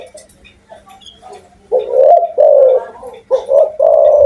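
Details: Vocal, strong-voiced spotted dove delivering a phrase of deep mellow coos after a quiet start, the notes coming in quick succession with a long final coo, over a faint hum.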